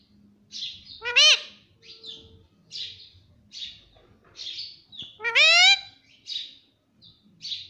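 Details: Pet parrot talking, saying words such as mummy and papa: two loud, rising, voice-like harmonic phrases about four seconds apart, with soft high chirps repeated between them throughout.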